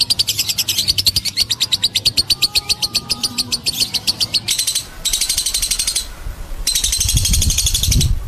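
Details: Lovebird giving a long ngekek chatter used as a master recording for training other lovebirds: a fast, even train of dry, high chattering pulses for about four seconds, followed by broader bursts of rough noise.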